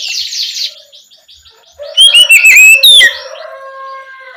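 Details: At night, an Oriental magpie-robin sings loudly to coax young spotted magpie-robins into calling back: a scratchy buzzing opening, then a short phrase of sharp whistled notes and rising slurs fading into quiet.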